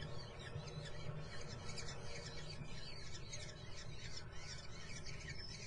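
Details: Nestling common kestrels at Muttenz beg continuously with harsh, high chittering notes, several calling at once, partly masked by a constant deep rumbling background.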